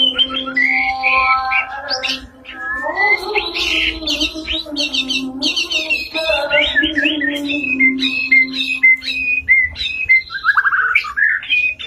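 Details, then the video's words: White-rumped shama in energetic song, mixing lower sustained harmonic notes with dense bursts of high chattering phrases, then a string of short, sharp whistled notes repeated at a steady pace and a rising slurred whistle. "KICAU MURAI BATU GACOR SAMPAI NDILUK-NDILUK"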